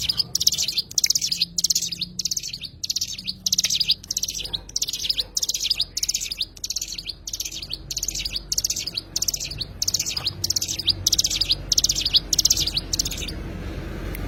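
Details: Oriental white-eye (cigun) giving a long series of quick, shrill twittering bursts that stop near the end, with low background noise throughout.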